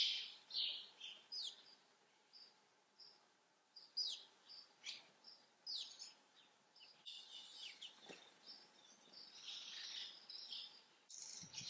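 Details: House sparrows calling: a string of clear, downward-slurred chirps every second or so, giving way to a dense, continuous chattering of many overlapping high notes.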